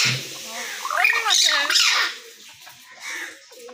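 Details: Talking common hill myna with a loud, rich, wavering phrase of voice-like syllables, then quieter murmured notes and one softer call near the end.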